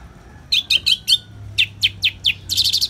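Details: Anis merah, the orange-headed thrush, singing ngeplong-style for a therapy track with natural rain: two runs of sharp, high, clipped whistles, four then four more, ending in a fast buzzy flourish, over faint low background noise.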